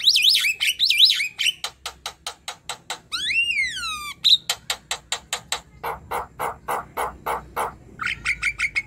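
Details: Young Javan myna singing hard, used as a tutor recording: wavering high whistles, then long trains of dry clicks, a drawn-out arched whistled sweep, more rapid ticking and harsh notes, ending with short whistles.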